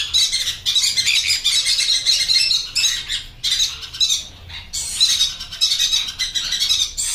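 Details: Conures, blue yellow sided, screeching continuously in harsh, raspy bursts with a brief pause near the middle, several birds calling over one another.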